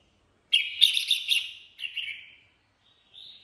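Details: Improvised ché singing by a red-whiskered bulbul: one loud, rich warbled burst that trails off into a softer, falling phrase, then a quiet, thin whistled note after a pause.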